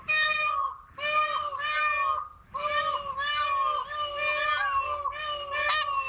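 Several peafowl give loud, nasal, wailing calls, long drawn-out notes that overlap into a steady chorus, broken by a brief pause before the next burst.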